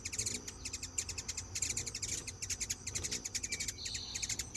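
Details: Hand-fed hummingbirds talking among themselves, giving rapid runs of sharp, high clicking chips in pulsing bursts, ending with a short buzzy note.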